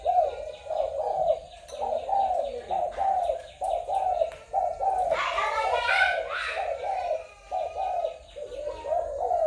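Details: Spotted doves from Malaysian, Thai and Cambodian stock, recorded 21 November 2022: dense overlapping low coos. Several birds call at once in a steady run, with a burst of higher chirping near the middle and a faint high whine throughout.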